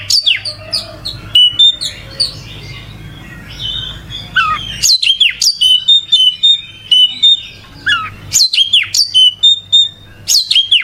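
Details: Oriental magpie-robin (kacer) in full song: loud, varied phrases of sharp whistles, rapid downslurred notes and high chirps, delivered in busy bursts with short pauses, over a faint low background hum.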